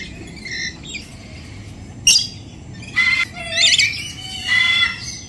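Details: Colourful parrots, including conures, at KL Bird Park in Kuala Lumpur, Malaysia, give harsh, shrill squawks in short bursts about a second apart, with softer chirps between.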